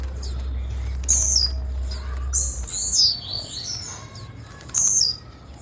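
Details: High, thin downward-slurred chirps from a female blue-black grassquit, given in loose clusters every second or two, with a low steady hum underneath for the first half.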